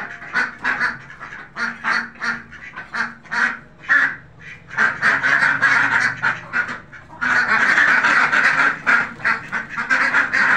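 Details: Farmed Khaki Campbell ducks quack in separate rapid bursts, pause for about a second, then break into a dense, loud, overlapping clamour, with a low steady hum behind.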